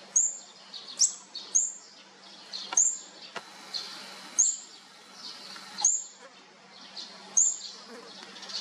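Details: Fourth-brood olive-backed sunbird nestlings during feeding, giving a steady series of thin, piercing high chirps roughly every second, each followed by faint raspy notes, against a soft background hiss.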